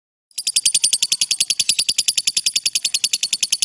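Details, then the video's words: Lovebird giving a long trill used as a training recording for other birds: a rapid, evenly pulsed, high buzzy chatter of about three and a half notes per second, sustained unbroken after a short silence. "suara Lovebird ngekek panjang"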